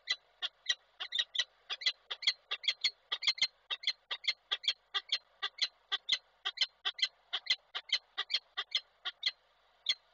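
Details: Female peregrine falcon, a little soaked, calling to the male at Koszalin, Poland, on 7 August 2023: harsh, clipped notes repeated steadily about three times a second, with no other sounds.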